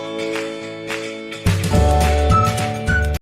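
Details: Only music is heard: soft sustained instrumental chords with a deeper bass entry partway through, and no animal call.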